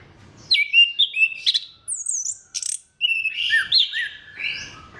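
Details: Lively orange-headed thrush song for prompting other thrushes to sing. Rapid strings of whistled notes, some fluty and some very high and thin, with a short gap before a warbling phrase of rising and falling whistles.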